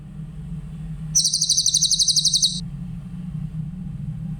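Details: One short burst of grey-headed canary-flycatcher song, a high, quickly pulsing trill of about a second and a half, set against a steady low droning hum in a clear training recording for other songbirds.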